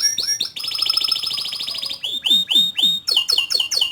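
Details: Singing canary holds a long, even buzzy trill, then gives slow, looping swooping whistles and quick paired chirps.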